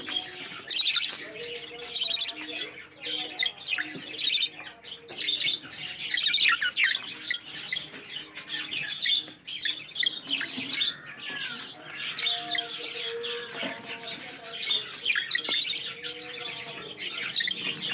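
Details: Baby budgerigars just out of the nest chatter with a dense stream of high, scratchy chirps and warbles.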